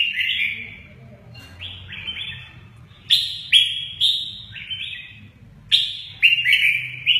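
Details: Red-whiskered bulbul in the song style called "mơ ché nẹt", displaying its wings; bright upward-slurred whistles arrive in small groups, gaining loudness toward the end, over a quiet low hum.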